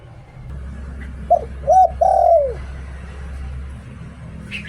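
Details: Thai decoy spotted dove in 'Liu Tan' song: one phrase of a short coo, an arched hoot and a longer coo falling away at the end, over a steady low droning background.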